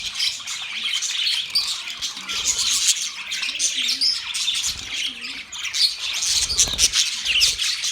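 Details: Budgies chirping together in a dense, continuous high chatter of overlapping twittering notes, scratchy squeaks and short whistles, with a few faint low tonal sounds underneath.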